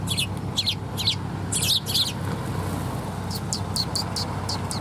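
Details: Sparrows at a Tenmangu shrine on 2 November 2021, arriving to be fed, give quick bright chirps in short groups, with a brief lull mid-way, over steady low background drone.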